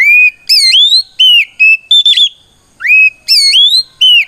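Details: Oriental magpie-robin (kacer) singing a loud ngeplong fighting song to challenge rivals and make them respond: ringing whistled phrases, upslurs and level notes, a brief buzzy burst, a half-second pause, then more rising whistles.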